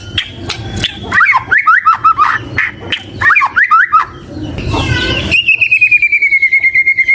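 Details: White-rumped shama singing paired, down-slurred whistles in quick groups, then a harsh noisy burst, and finally a fast, high buzzy trill that sinks gently in pitch.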